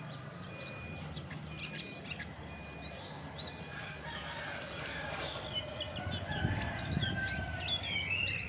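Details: Chestnut-backed thrush in varied song: sharp chirps, thin whistles and short buzzy trills tumbling one after another across the clip, over a steady low drone.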